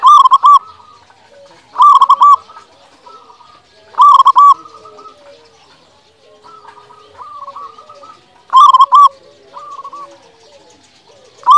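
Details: Lure recording of a lively local zebra dove singing to stir quiet doves into song. Loud rolling coo phrases of quick stuttered notes recur about every two to four seconds, with softer cooing from other doves in between.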